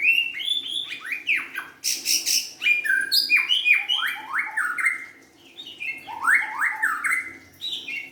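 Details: Young forest-caught white-rumped shama pouring out a loud, varied song of swooping whistles, harsh chatter and rapid rising notes, with one brief lull before a final burst.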